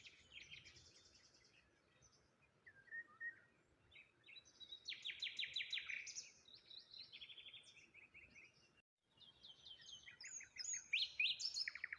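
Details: A morning chorus of small birds by the water near a lone tree: overlapping high trills, rapid chirp series and buzzy twitters, with a momentary gap in sound near the end.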